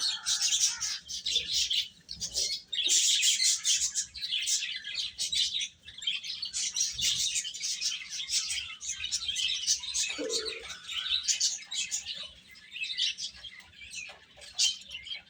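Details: Chicks eating, keeping up a continuous chorus of shrill high peeping from many birds, with occasional low thumps beneath.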